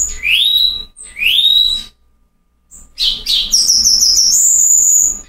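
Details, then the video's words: Cuban bullfinch singing the rare 'Silvao' style in Cuba: two clear upward-sweeping whistles, a brief silence, then a harsh burst and a long, thin, very high whistle with pulsed overtones. "Negrito cantando Silvao RARO Cuba"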